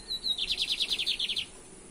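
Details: Lined seedeater song, from a 2023 comparison of the caça rato and torneado song styles: a brief high whistle, then a fast rattling trill of about a dozen sharp descending notes lasting around one second, over faint background hiss.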